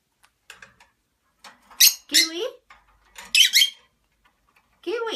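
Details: A pet lovebird in a group of three indoors mimics speech, saying "kiwi", in scratchy, high-pitched bursts with short chirps and squeaky, warbling phrases broken by brief pauses.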